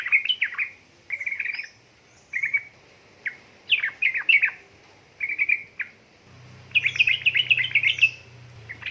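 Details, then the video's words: Yellow-vented bulbul, female calling a male, used to prompt lazy birds to sing; short clusters of chirpy, warbled notes broken by pauses, ending in a fuller rapid phrase over a low hum. "pancingan burung trucuk gacor ropel ngeriwik|| suara untuk trucuka bahan malas malasan bunyi"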